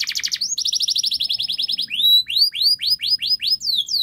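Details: Canary delivering long, fast song as a model for young canaries learning to sing: tight rapid trills at first, then slower repeated upswept chirps spaced about a quarter second apart.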